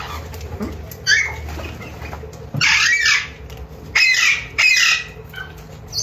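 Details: Newly acquired pet Alexandrine parakeets giving loud, harsh, raspy squawks in bursts of about half a second to a second, four main outbursts separated by quieter gaps, over a low indoor hum.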